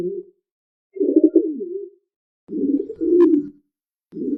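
A dove gives low, soft, throaty coos, each about a second long, with brief pauses between phrases. No other sounds stand out.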